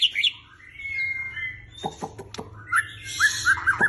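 A black shama sings clear whistled phrases, some sliding, broken by sharp clicking ticks and closing with short bright repeated notes, all in a small room.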